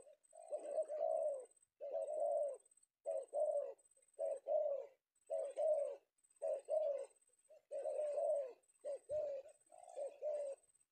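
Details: Spotted dove, male, of the sought-after Penguku kind from Indonesia, caught in the afternoon; steady hoarse coos in paired bursts roughly every second over eleven seconds, quiet surroundings.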